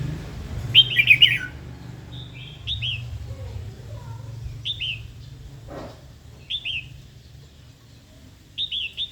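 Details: Female red-whiskered bulbul calls meant to rouse a wild-caught male into singing and fighting: brief high chattering phrases of two or three hooked notes, spaced about two seconds apart, with a low background hum.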